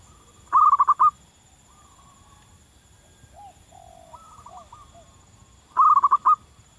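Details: Wild local zebra dove singing: two loud stuttering coo phrases of rapid rolled notes, about five seconds apart, with softer wavering coos in between and a faint steady high hiss.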